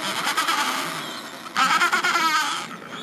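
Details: Adélie penguins in a colony at the end of summer, when young birds shed their last chick down before their first swim. Harsh, braying harmonic calls overlap in a dense chorus, with a louder rattling burst midway.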